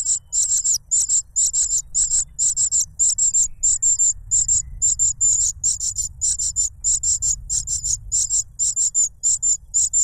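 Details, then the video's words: A fostered cuckoo chick clamouring for food as its foster parent feeds it a butterfly: shrill, sibilant notes grouped in quick clusters, a steady insistent stream over ten seconds, with soft low background hum. "The cuckoo bird is too noisy when trying to grab food杜鹃鸟抢食太吵闹了"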